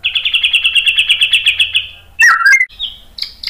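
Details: White-rumped shama song played to provoke other birds into singing: a fast even series of about fifteen high chipping notes, followed by a loud slurred whistle and short high whistled notes.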